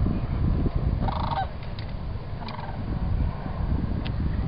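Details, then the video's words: Sandhill crane calling at Celery Fields: a rolling, rattly trumpeted call, then a softer second call a second later, with faint high clicks and a strong low rumble underneath. "Sandhill Cranes Celery Fields"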